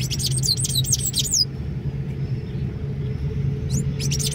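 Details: Sayaca tanager giving a call, recorded 25 May 2024; rapid run of high, thin, falling whistled notes lasting about a second and a half, a brief echo later, over constant low rumble.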